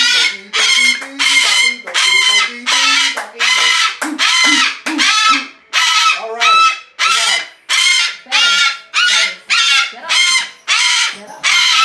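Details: Rescued female Umbrella cockatoo, 23 years old and kept at home, screams on and on. A long run of about sixteen harsh, blaring squawks repeats roughly every three-quarters of a second.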